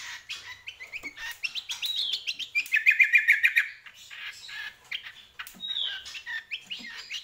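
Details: Greater green leafbird singing energetically: a fast, varied run of chirps, trills and short whistled notes, with a dense rapid trill in the middle and a clear sliding whistle near the end.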